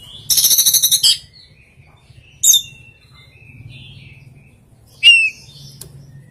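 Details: Strange oriental magpie-robin song holding rare filler phrases: a rapid rattling chatter of about eight notes, a sharp single chip, soft warbled notes, then a loud rising squeaky whistle.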